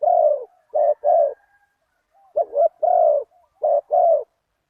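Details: Spotted dove in a decoy session after a target bird, described as big-voiced with one kuk. It sings low, even coos in repeated short phrases, a long note followed by a clipped pair. The phrases are separated by pauses of about a second.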